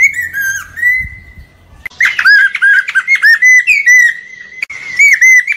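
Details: Lesser necklaced laughingthrush singing to lure birds for trapping: a long drawn whistle with a low hum behind it, a short break, then a lively string of rapid whistled notes and slurred phrases.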